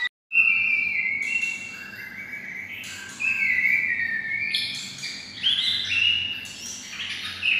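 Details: White-rumped shama kept near red-whiskered bulbuls sings with a bulbul-like voice: sustained clear whistles and warbled phrases over steady low background hum and hiss.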